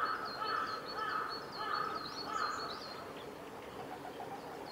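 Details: Male red crossbill recorded 14 April 2018 at Kawaguchiko Field Center in Japan: quick high chips and upward-flicked notes delivered in loose series, with a constant lower tone and faint rustling beneath.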